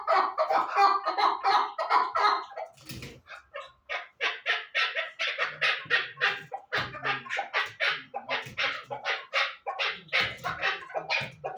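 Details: Chukar partridge giving a long series of harsh, clucking notes, about three per second and somewhat uneven, after an opening burst of denser chatter; the notes sound loud and close with little background.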